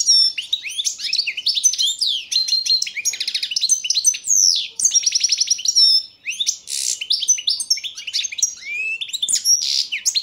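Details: Ten seconds of unbroken song from a Balkan goldfinch, Carduelis carduelis balcanica, entered in a 2022 world song competition: rapid buzzy trills, tinkling twitters and sliding whistles in dense succession.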